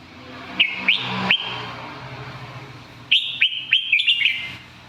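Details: Red-whiskered bulbul song: three bright whistled notes, each with a quick upward flick, then a faster run of four or five similar chirpy whistles. Steady low background hum.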